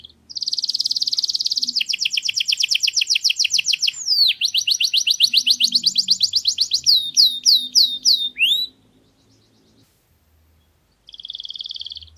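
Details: Garden canary delivering a long rolling song: dense buzzy trill, then rapid repeated whistled notes and sharp downslurred chips, a pause, and another trill beginning.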